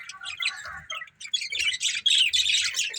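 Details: A budgie breeding pair chirps in quick, jumbled warbles, squeaky notes repeated several times a second, growing louder and denser toward the end, with soft low thuds beneath.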